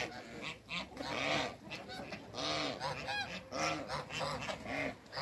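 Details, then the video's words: Backyard hybrid of Cayuga and Mallard duck with other waterbirds, repeated harsh nasal honks roughly once a second, rising and falling, with several birds calling together. "HYBRID CAYUGA & MALLARD DUCK"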